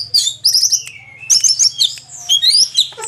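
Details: Orange-headed thrush, just past its moult, singing fast bursts of high trills and twittering notes with a few drawn-out descending whistles, a constant low hum in the background.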